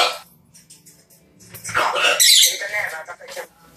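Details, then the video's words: Talking macaw: a harsh, raspy, speech-like outburst lasting about a second, loud and hoarse with a rough squawking edge, after a quiet start. "Talking macaw"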